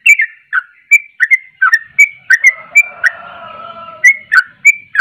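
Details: Sooty-headed bulbul singing actively: short bubbly whistled notes, each slurring down from about the same pitch, repeated in quick bursts. A steadier low double whistle runs underneath midway, then the bright notes resume.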